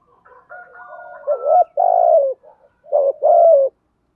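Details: Calling spotted dove luring wild doves: faint background notes, then two strong coo phrases, each a short rising note followed by a longer, lower, hoarse falling coo.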